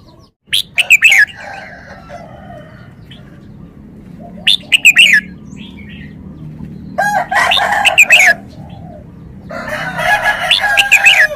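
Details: Red-whiskered bulbul singing repeated phrases of bright, slurred, downward-sliding notes every few seconds, mixed with harsh broadband rustling bursts and a constant low background drone.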